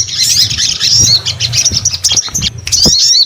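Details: Sogon pouring out a high, busy song of chattering trills and quick whistled slurs, interrupted by a few clicks and knocks in the background.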